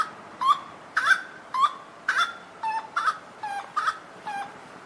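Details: Grey-cowled Wood Rail (saracura-três-potes) at the Botucatu botanical garden, Brazil, answering playback with loud, harsh, nasal clucks, about two each second, in a steady, jerky series over faint background hiss.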